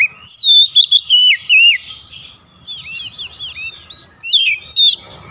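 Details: Oriental magpie-robin summoning companions, another responding energetically: bright, loud whistled phrases of swooping notes, a softer run of short chirps in the middle, then another loud burst.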